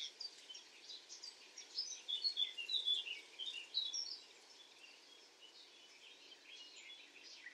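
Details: A common nightingale singing at night: a fast, varied run of high chirps, short whistles and twittering notes, loudest midway, over a steady background hiss.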